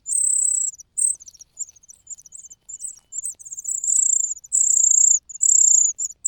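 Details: Cuckoo chick crying loudly out of hunger while host young are satisfied: piercing, drawn-out high squeals alternate with fast, scratchy chirping runs.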